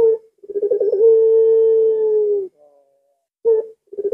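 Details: A midnight recording of a puter pelung dove on a Thursday night: a clipped note, a gurgling stutter, then one long steady coo of about one and a half seconds, followed by further short notes.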